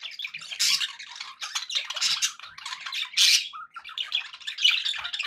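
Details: Happy pet budgerigars give a busy, rasping chatter of squeaks and short whistles, loud bursts rising and falling irregularly.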